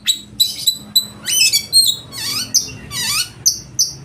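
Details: Loud oriental magpie-robin song performed to provoke rival birds to sing and open their tails: dense run of shrill notes, buzzy trills and downward-swooping whistles packed closely together, over faint low background hum.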